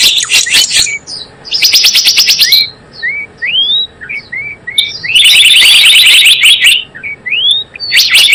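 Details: Java sparrow calls played as a trapping lure: clusters of fast, piercing chirps alternate with sparse upward-curving whistled notes and short quiet gaps.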